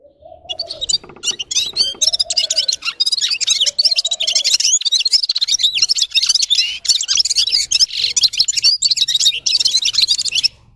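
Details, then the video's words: Continuous fast twittering song of a red-fronted serin (gulsir): dense, high, tinkling and buzzy notes pouring out without a break for ten seconds, with a few low rising-falling hoots early on. "Gulsir Singing (Seriniis pusillus) Пение Птицы (Yurok Qushi Red-capped signing) G'ir-G'ir"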